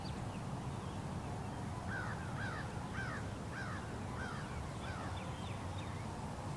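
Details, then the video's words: Crow at dawn around 06:30 in March in Lutz, Florida, before sunrise among many birds: about seven hoarse, arched caws, roughly two per second, over a steady low rumble of traffic from roads a mile or more away. "Crow Calls under March Moon"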